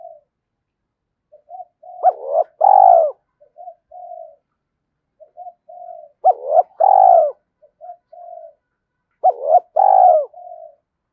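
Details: Spotted dove coos used to excite decoy birds: three repeated phrases of soft low hoots building to a loud rolling coo, spaced about four seconds apart in clean silence.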